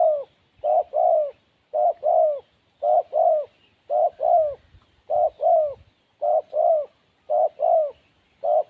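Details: Wild spotted dove, called lacking nerve, producing a long run of regular double coos, quick first note and fuller falling second, about eight pairs, quiet setting.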